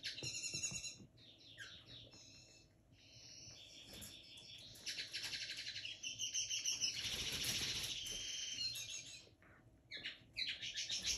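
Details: Young caged linnet hybrid from 2022, just beginning to sing and eating seed, gives a rapid, varied twitter of high chirps, trills and buzzy phrases in bursts, with brief rustling midway.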